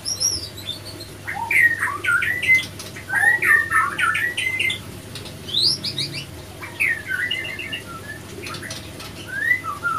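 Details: Caged white-rumped shama pair, male and female, fighting after an unsuccessful pairing; loud rising and falling whistled phrases mixed with harsh chatter and quick trills, interrupted by sharp broadband clicks and wing or cage noises.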